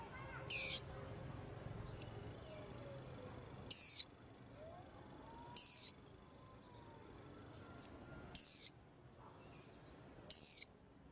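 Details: A caged white-eye, its calling said to stir the whole rack of birds: five high, thin whistles each falling in pitch, spaced two to three seconds apart, with a faint continuous high tone and quiet background.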